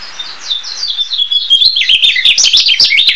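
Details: Narcissus flycatcher song: bright, high whistles that slide down, then a dense, jumpy warble of quickly changing notes, with clicking ticks underneath.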